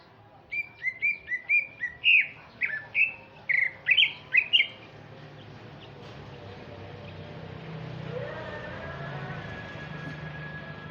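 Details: Male Sumatran greater green leafbird singing in the afternoon: a burst of about ten loud, clear whistled and chattering notes over the first five seconds, then quieter background noise with distant faint calls.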